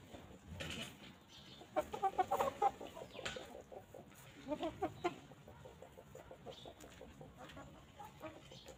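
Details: Free-range chickens roaming, pecking and grazing fresh grass on a quiet farm; a quick run of short soft clucks near two seconds, further faint clucks later, amid pecking taps and rustle, no music.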